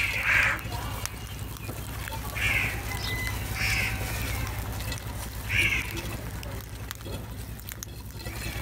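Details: Crows calling in the morning while being attracted to food, four harsh, hoarse caws spaced about one to three seconds apart, over a steady low hum and faint background noise.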